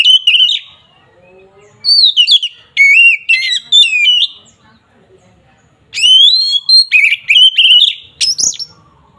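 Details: Oriental magpie-robin singing in an agitated, combative style that provokes rivals, rapid loud whistled phrases, sharply rising and falling, in several bursts with brief quiet gaps and soft lower twitters between.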